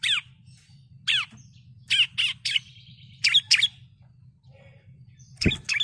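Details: Female bar-winged prinia calling a male: scattered sharp, high chirps in short pairs and singles with uneven gaps, over a low background hum, and one brief dull knock near the end.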